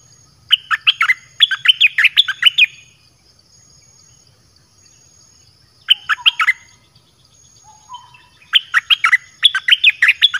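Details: Lure song of a red-whiskered bulbul for calling wild birds, several bursts of rapid, musical whistled notes, each burst a second or two long, separated by silent gaps of a few seconds.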